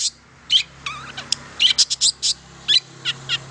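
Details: Long-tailed shrike song used to prompt quiet shrikes into singing: scattered sharp high notes and a few lower slurred whistles in irregular bursts, with a faint steady hum underneath.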